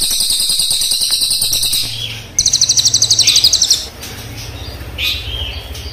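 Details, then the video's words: Crested jay song, black and brown birds compared, in a fast rolling delivery: high, buzzy rattling trains of rapid notes, about four per second, broken by a short pause and then a louder burst, with faint lower chattering behind. "Cililin gacor nembak ngeroll panjang,hitam vs coklat"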